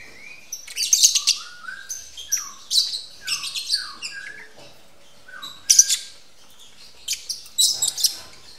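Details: Lovebirds mating in a breeding facility shared with white-rumped shamas; rapid harsh chirps alternate with short downward-slurred whistles, coming in clustered runs with brief pauses between.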